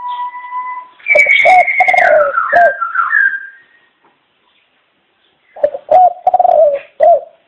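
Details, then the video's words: A pet dove gives low, hollow coos in two bursts of a few notes each, with sliding whistled tones early on and a quiet indoor background. "Chim Cu Chào Đón Tất Cả Mọi Người"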